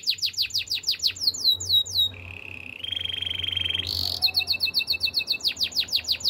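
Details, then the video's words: Training song of a canary, used to teach canaries to sing: rapid downslurred notes, a sweeping phrase, then flat low and higher buzzy rolls, a bright high burst, and more quick repeated sweeps. "Canary's Training Song"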